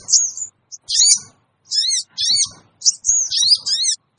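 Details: Sooty-headed bulbul lure call used to gather wild birds: short, piercing, wavering squeaks in clusters of two or three, separated by brief silences.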